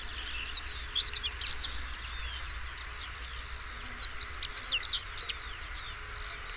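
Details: European stonechat song: quick bursts of scratchy, high chirping notes, one run in the first second and a half and another around the fifth second, over a dense chorus of other birds and a low steady rumble.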